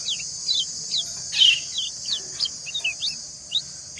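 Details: White-eye (kecial) female and male calling back and forth: scattered short high chirps and one louder rasping note, over a steady high insect-like hiss throughout.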